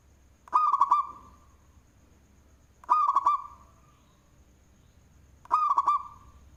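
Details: Local zebra dove with a big voice, singing as a lure bird: three rolling cooing phrases of several quick stepped notes, spaced roughly two and a half seconds apart over a low background hum.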